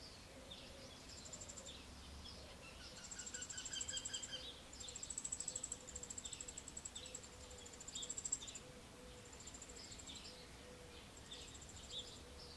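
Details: Eurasian wryneck chicks being fed termites, ants and other insects by adults, Alzira, Valencia, May 2016. Thin, high, hissing buzzes come in bursts of about a second, repeated steadily. A faint low hum runs underneath.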